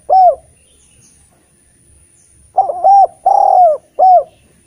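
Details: Collared dove song meant to get lazy spotted doves calling: one short hoot, a pause, then a three-part coo phrase with a drawn-out, slightly falling middle note.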